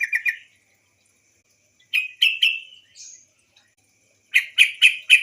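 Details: Call of a female yellow-vented bulbul, played as a lure to get male birds singing. Clipped chattering notes come in quick runs of three to four, separated by short pauses.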